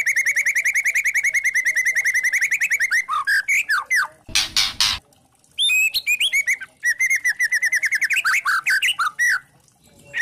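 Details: Trotol white-rumped shama kretekan lure for provoking rival shamas: a fast rattling series of repeated notes, a rough noisy burst, then bursts of chatter and sharp upslurred whistles.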